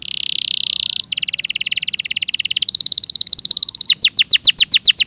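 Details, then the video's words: Clear canary master recording: a dense buzzy rolling trill, shifting pitch twice, then opening into faster, louder downward-sweeping notes. "Masteran suara burung KENARI"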